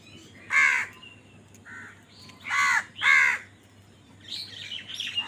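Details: Crows calling while fighting over food: three loud, harsh caws with a shorter one between, followed by fainter chattering bird calls at the end.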